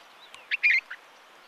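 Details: A Himalayan bulbul (Pycnonotus leucogenis) in Uttarakhand, India, gives a short burst of three or four bright, chattering notes, the middle one loudest and longest, over a faint background hiss.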